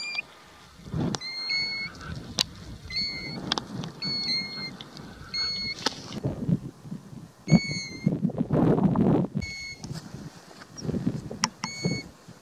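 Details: A European golden plover on the Hardangervidda mountain plateau, Norway, gives clear, plaintive single whistles, repeated about once a second with short pauses, over a steady low rumble of wind or an engine.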